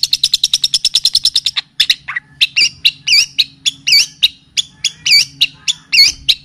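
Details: Long-tailed shrike (cendet or pentet) song used as a training and lure recording, mixed with kapas tembak and cililin song. A fast series of high, sharp chirps gives way to spaced, looping, whistled notes.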